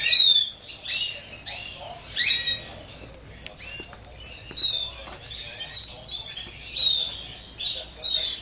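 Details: Canary singing in short warbled phrases of chirps and whistled slurs, spaced by pauses of about a second, with light background noise.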